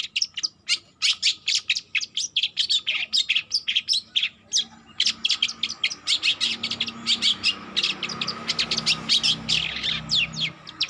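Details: Young long-tailed shrike learning to sing: bursts of sharp, high chirps and short buzzy notes in quick series, a brief pause near the middle, then a denser, faster run of chirps over a faint steady hum.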